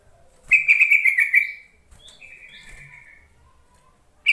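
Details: Lure call of a yellow-vented bulbul, meant to make silent captive bulbuls answer: one rapid rattling, bubbling burst sliding slightly downward, then a softer drawn-out buzzy trill and a brief high note.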